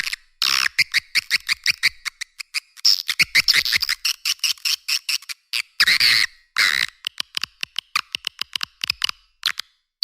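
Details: Swiftlet calling sound with buzzy, high trilled chirps woven among rapid dry clicks, coming in uneven bursts.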